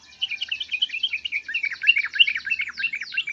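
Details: Sooty-headed bulbul giving emotional calls: a busy, continuous chatter of bright, bubbling notes with quick downward sweeps woven through, steady and lively throughout.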